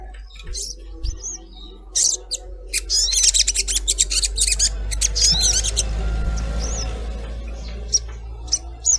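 Collared kingfisher giving sharp, harsh chattering notes in irregular bursts, about one a second, over a steady low hum.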